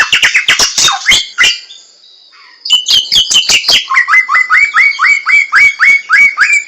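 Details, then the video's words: In the wild, a samyong laughingthrush gives a dense chatter, pauses briefly, then settles into a steady series of short rising whistles repeated about three per second. "SUARA BURUNG SAMYONG DI ALAM LIAR"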